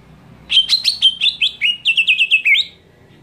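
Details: Shrill scream of a greater green leafbird that provokes other leafbirds. A single two-second burst of about a dozen sharp, strident notes in quick succession, each bending in pitch, with the series sagging lower toward the end.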